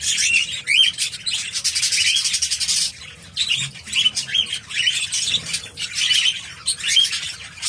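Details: Sixteen-year-old male budgie, hatched 2007, healthy but flightless, chattering in dense raspy bursts mixed with clear chirped notes and harsh squawks, pausing briefly around the midpoint before resuming.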